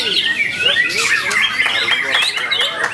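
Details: Song of a white-rumped shama, new bird, Ciseeng, Bogor, 10 August 2021: busy high chattering and looping whistled phrases without pause, with sharp clicks throughout.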